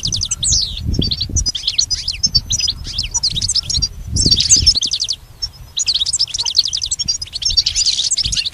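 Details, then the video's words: Goldfinch singing for a pet goldfinch's song lessons: fast, tinkling twitter phrases with sweeping high notes and repeated short whistles, broken by a few quiet gaps, over light low background noise. "Teaching the goldfinch the art of song-advanced lessons in best chirps"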